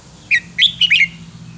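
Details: Red-whiskered bulbul of the 'counting' song line, singing a wild-style phrase: four quick, clear whistled notes in under a second, the first two separated, the last two running together and sliding down, over a faint low hum.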